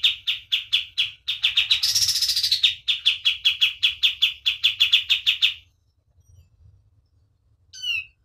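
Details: White-eye song at full vigour for teaching other birds: quick repeated chips with one buzzy, rising trill burst. The singing stops after about five and a half seconds, then comes a brief high squeaky note.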